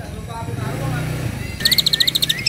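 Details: A very tame Asian pied starling gives a quick burst of about ten bright, clipped notes with a rising whistle, after a low murmur of voices and background rumble.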